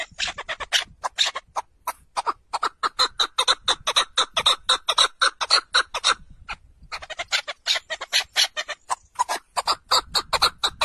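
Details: Partridge singing a long, rhythmic run of rasping, chattering notes delivered rapidly and evenly, broken by a brief pause midway before resuming just as fast.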